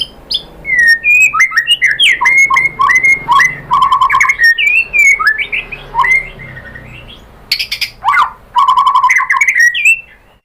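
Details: Lively White-rumped shama song meant to provoke other shamas to sing: rapid varied whistles, trills and sharp chips in dense bursts, with a short pause near the middle and another burst toward the end.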